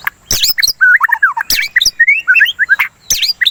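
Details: Murai batu (white-rumped shama) singing as a lure and calming therapy: dense, fast chattering mixed with sharp clicks and slurred, wavering whistles, barely pausing.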